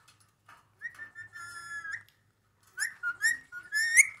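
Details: Ring-necked parakeet talking: a long, steady, whistled tone with bright overtones, followed after a pause by quick, rising, syllable-like notes, faint background hum throughout.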